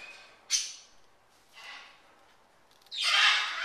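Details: Pet military macaw eating a cracker with peanut butter as a treat, giving a harsh squawk, a fainter rasp, then a loud long raspy screech at the end.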